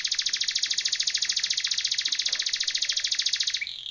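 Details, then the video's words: Timbrado canary singing a training song, one long fast rolling trill of evenly repeated bright pulses held at steady pitch for over three seconds, ending with a brief short note. "TIMBRADO canary singing / canto Canario cantando / canary training song"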